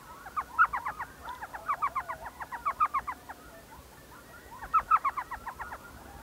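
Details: From a saguaro cactus nest hole in the Salt River area of Arizona on an evening owling trip, an elf owl repeats fast, laughing chatters of clipped yelps in several runs with short gaps between them.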